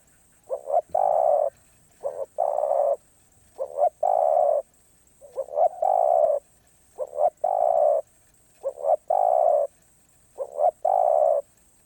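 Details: Spotted dove singing in the 'karom pa roi' style, said to be off cue: seven phrases, each of two or three quick rising notes and then a long, steady, mellow coo, repeated about every 1.6 seconds over a quiet background.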